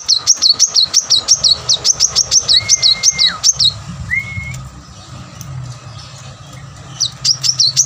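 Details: Plain-throated sunbird in full song, used to spur lazy caged birds: nearly four seconds of rapid, high, zigzag notes, about three per second, then two level whistles and a pause before the series resumes near the end.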